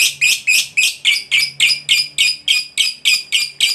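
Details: Lovebird, a fighter-type bird, in ngekek chatter used to provoke other lovebirds into calling: a regular train of sharp, rasping high squeaks, roughly three to four each second, evenly spaced.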